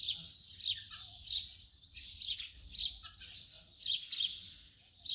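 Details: Dense house sparrow chatter, many overlapping high chirps forming a steady busy twitter with a few louder notes standing out.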